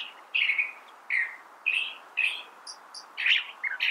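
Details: California thrasher singing: a series of short, harsh, chirping phrases spaced about half a second apart, some with higher squeaky notes, in a quiet setting.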